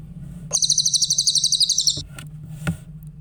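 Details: Grey-headed canary-flycatcher in a clear training recording for other songbirds: a high, fast pulsing trill of about one and a half seconds, followed by a few clicks and knocks over a low hum.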